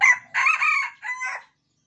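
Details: Captive Sumatran red junglefowl (Gallus gallus), one of several caged together, gives one brief hoarse crow under two seconds: short opening note, longer strained middle, clipped ending, answering other crowing birds.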